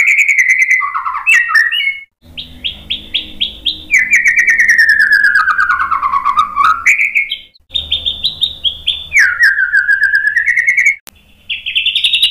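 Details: Agitated white-rumped shama song to provoke other males: long sliding whistles, dipping and rising, mixed with rapid stuttering trills, delivered almost continuously.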